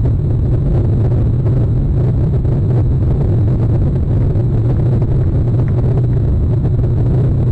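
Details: Loud, continuous low engine or vehicle rumble fills the recording, with no animal voices.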